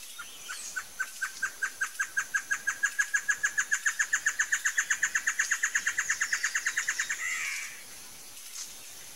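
A Great Antshrike gives a long run of about forty hollow, even notes that speed up and finish in a harsh, nasal snarl.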